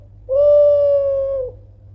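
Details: Single long, even, pure coo over a second long from a loud Kelantan spotted dove, calling persistently to provoke rivals into answering, ending with a slight downward dip; faint low hum in the background.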